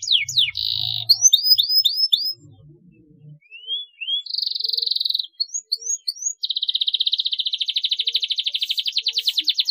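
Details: Singing canary played to stimulate juvenile canaries to chirp: quick falling whistled notes in series, short buzzy trills, rising slurred whistles, then a long rapid rattling trill; faint low thuds at the start.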